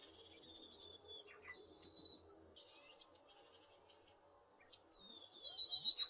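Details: West Polish tit song recorded on Zoom H6 and Rode NTG4: a high piping phrase falls steeply into a dense trill. After roughly two seconds of quiet, the next phrase begins.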